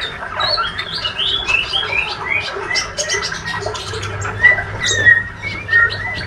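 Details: Young male white-rumped shama in spotted plumage, described as healthy and a fighter, with ngriwik subsong: a series of short, upward-slurred whistles, then scratchy chatter and a few clear whistled notes, over a low hum.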